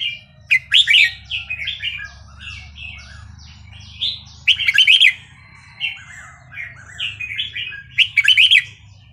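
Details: Red-whiskered bulbul in Burmese-style song, played to teach young caged birds and excite them. Loud, bright, chirping phrases burst out about every four seconds over a steady bed of softer chirps and warbles, with a low hum underneath.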